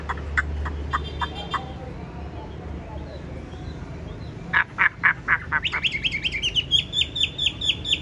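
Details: Tame caged Chinese hwamei with yellow legs and bill, praised for a loud, fine voice: low voices and laughter at first, then sharp repeated notes and rising clear whistles building rapidly toward the end.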